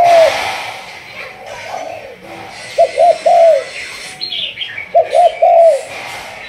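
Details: Malaysian-line spotted dove trained for decoy use, 'thúc gù' style: one soft coo opens, then after a lull two clear bursts of quick double hoots and a falling drawn coo. Faint bird chirps are audible.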